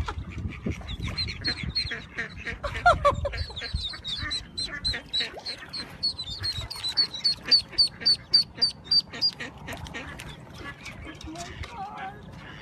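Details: Ducks calling one after another in quick, nasal quacks that build into an even, rhythmic run of about three per second, then fade, over a low background rumble.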